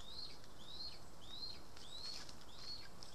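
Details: {'caption': 'Lesser spotted eagle at a nest in Estonia on 2 August 2020 while voles are brought in. Regular high whistled calls sliding upward, roughly two per second, with faint rustling between them.'}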